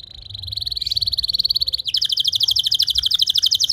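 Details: Canary song for prompting others to sing long trills: a steady whistled trill swelling in volume, then a higher, faster ringing trill of crisp repeated notes.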